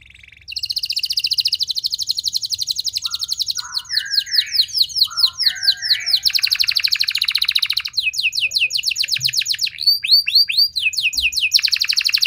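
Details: Canary lure song for training: a long high rolling trill, softer lower warbled notes, then rapid downslurred strokes and looping whistles, ending in another fast trill.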